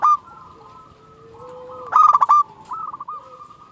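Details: Local zebra dove singing as a lure to make other zebra doves answer: faint steady background tones, then a loud stuttering, rolling phrase mid-clip followed by a softer run of pulsed cooing notes.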